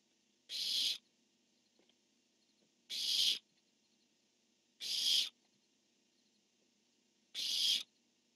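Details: Two barn owls at a nest box on 10-1-15, one calling and the other answering: four harsh, hissing screeches, each about half a second long, spaced roughly two seconds apart against a quiet background.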